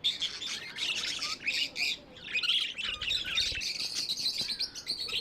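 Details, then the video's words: Pet budgerigars produce a dense, buzzy chatter of squeaks and warbles, with a brief low thump partway through. "Budgies amazing love & chirping sounds"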